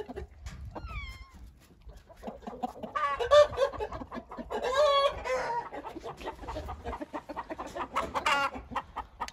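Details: Hint roosters amid busy clucking: a short whistled rising note early on, then rough, broken crowing bursts in the middle, with continuous chattering calls and clucks.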